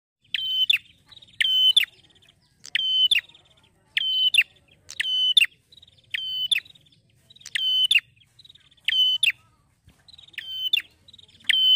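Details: Steady run of male prinia song, the bird described as happy: about ten sharp, level, whistled-metallic phrases, each bracketed by clicks, delivered around once a second, linked by faint rapid ticks; clean background.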